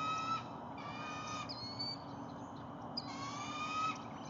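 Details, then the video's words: Juvenile bald eagle at Lake Murray on 19 January 2022, morning. It gives harsh, squealing calls in three bursts with thin high whistles between, hoping for a bite of an adult's freshly caught fish; the adult refuses. "Bald Eagle Juvie hopes for a bite of breakfish"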